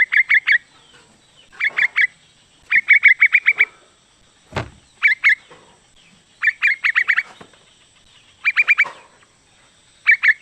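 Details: Female sooty-headed bulbul calling to a male, a call used to provoke males into answering. Rapid runs of sharp, bubbly notes come in tight groups of three to seven, separated by brief gaps, with one low thump midway.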